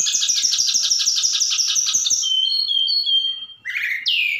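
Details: Singing Javan bush lark from Sukabumi, its song filled with imitated cililin and sikatan londo phrases; a fast stuttering buzzy trill of about two seconds, then clear whistles and a falling buzzy note.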